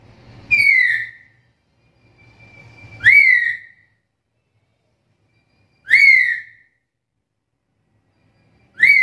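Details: Black-capped lory calling, a loud whistled note that rises sharply then slides down, given about every three seconds with rich harmonics; suited as a master call for training other birds. Faint low hum between calls.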